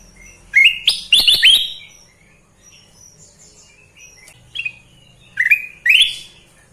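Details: Sooty-headed bulbul, locally called kutilang emas, described as gacor (singing constantly): bright whistled phrases rising in pitch, one burst near the start and another near the end, with quiet gaps between.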